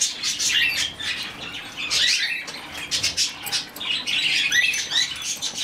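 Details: Rescued budgerigar chick raised by hand, uttering a string of buzzy, warbling chirps in uneven bursts. Some notes slide upward, with brief quiet gaps between the groups.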